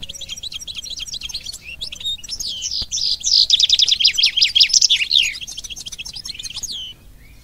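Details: A caged European goldfinch 'mulet phénomène' (hybrid mule) gives a rapid, tinkling song of twittered and trilled notes, high-pitched and loudest in the middle, with faint twitters before and after in a quiet room.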